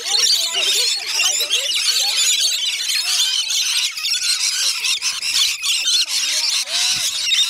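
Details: A rainbow lorikeet feeding frenzy at Bungalow Bay Koala Village, north-east Magnetic Island, Queensland, Australia: a loud, continuous screeching chorus from many birds, overlaid with people talking and occasional knocks.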